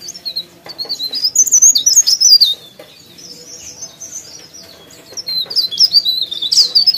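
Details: High, rapid twittering song of an actively singing leaf warbler (cikrak daun), given in two bursts of squeaky slurred notes with a quieter gap between, over faint background hum.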